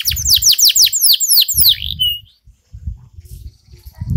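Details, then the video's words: Java sparrow-style song from a trained canary: a quick run of sharp descending whistled notes ending in a drawn-out tone, followed by a quiet pause and low handling noise. "Kenari isian glatik"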